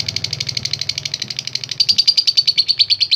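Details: Lovebird in a long 'ngekek' chattering run meant to stir up other fighter lovebirds. Dense, rapid high ticks repeat evenly throughout and grow louder and clearer in the second half, with a faint low hum underneath.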